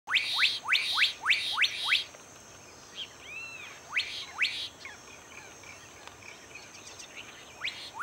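Black-capped Donacobius giving loud, sharply rising whistles, five in quick succession, then a pause and a few more spaced notes, over faint background hiss.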